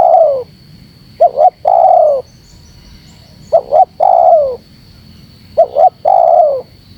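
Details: Calling spotted dove, meant to stir up wild doves. A trailing coo opens, then three full phrases follow, each two short hiccup notes and a long falling coo. A faint high hum runs throughout.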